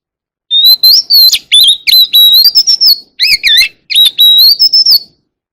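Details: Oriental magpie-robin in a wild-type song that calls the flock: a rapid run of loud, high whistled notes, some sliding up and down, broken into short bursts with brief gaps over about five seconds.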